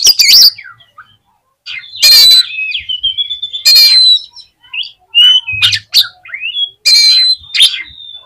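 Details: Oriental magpie-robin song used to stir up other magpie-robins: loud harsh broadband bursts alternating with clear whistled notes and slurred rising and falling phrases, varied and fast, with brief pauses between phrases.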